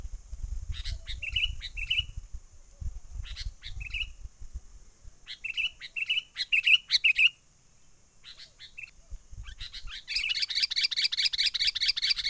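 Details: Sooty-headed bulbul calling in the wild, a bird lure for trapping. Short clusters of chirpy whistled notes come in irregular bursts over low rumbling background noise, ending in a dense, fast run of high notes.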